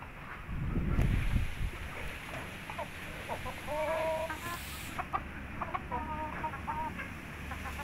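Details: Three-month-old Indio Gigante chicken: scattered short, clucking notes and brief higher squawks over a steady background hum, with a louder low rumble near the start.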